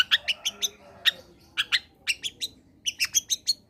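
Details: Combination song of a long-tailed shrike, played to prompt reluctant shrikes to sing: clipped two-toned chirps in groups of two to four, evenly spaced, with a quick run of five notes near the end.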